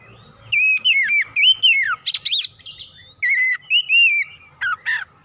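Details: Oriental magpie-robin (kacer) in full gacor song with isian phrases: quick sequences of whistled slurs and descending sweeps, broken by loud grating buzzes, then more clear whistles.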